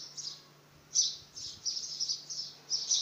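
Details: Young house sparrow trying to fly for the first time, giving a quick run of high, bright chirps, some joined into short bursts, against a faint low hum.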